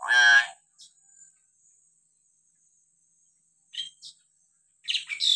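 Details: Hill myna calling: one loud, harsh, harmonic-rich shriek at the start, then a long pause and a few short, sharp high chirps and squeaks near the end. Quiet between calls.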